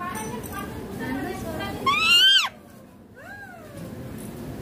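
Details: Indian ringneck parakeet, a green talking parrot, giving one loud, harsh, arched screech in the middle, then a fainter rising-falling call, over a murmur of background voices.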